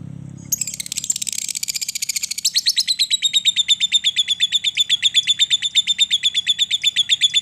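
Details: Lovebird long ngekek used to get silent lovebirds singing: opens with a hissy, buzzy high burst, then settles into a steady, fast rattling trill of sharp pulsed notes, about six per second, holding a level pitch.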